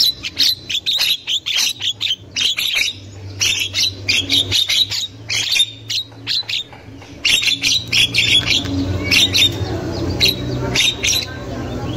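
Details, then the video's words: Javan myna in the wild, a lure to stimulate young birds to sing; female chatter. Long sequence of grating squawks in rapid bursts with short gaps, over a faint low hum. "Burung Jalak Kebo Super Gacor Untuk Pancingan Jalak Kebo Muda"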